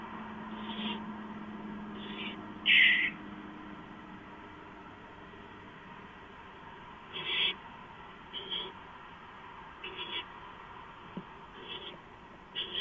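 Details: Barn owl at the nest, 11:43 PM, 2 April 2015, during a gopher delivery: one loud, drawn-out rasping screech, then a run of softer, shorter hissy bursts that trail off, over a low constant hum.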